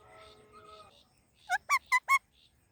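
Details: Indian ringneck parakeet, with an Alexandrine parrot also present, giving four loud, rasping chirps in quick succession after a softer stretch of faint tonal sounds.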